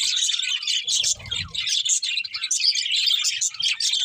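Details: Several pet budgerigars, described as happy, chirp and warble while eating; dense, continuous high chatter of short twittering notes with brief soft low thumps near the middle.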